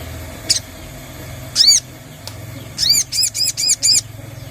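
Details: Sogon lure sound meant to get the bird singing and active; a lone high chirp, a brief arched pair, then a quick run of five loud, arched, downward-curving chirps about every quarter second, over low background hum.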